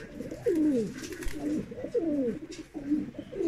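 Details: Mukhi fancy pigeon giving low, throaty coos, each a gliding, downward-sliding note. Several are repeated in close succession in a quiet setting.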